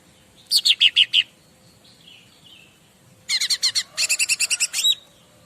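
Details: Bar-winged prinia singing, used as a master to get other birds to respond: five evenly spaced high chips, a faint falling whistle, then a longer rattling run of about fifteen sharp notes ending in an upward flick.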